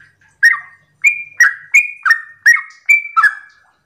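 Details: Morning 'ropel' song of a Yellow-vented bulbul, played to provoke other bulbuls into replying; seven brisk, bubbly chirps in a rhythmic run, some with higher flat openings, at nearly three notes per second.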